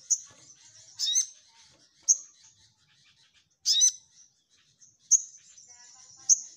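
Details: Orange-headed thrush singing loud, chattering song of sharp, very high, clipped notes spaced about a second apart, mixed with two longer harsh, rasping bursts. There are brief quiet gaps between the notes.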